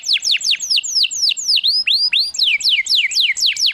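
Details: Canary song used to encourage canaries to sing: varied falling whistles, then curved upward slurs and hooked notes, ending in brisk overlapping descending phrases.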